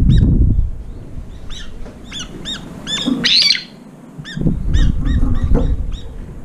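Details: Late-arriving brown-eared bulbuls crowd a feeder running out of food, fighting and guarding against newcomers; dense run of sharp, arched screeching notes in quick succession, with a low droning hum beneath.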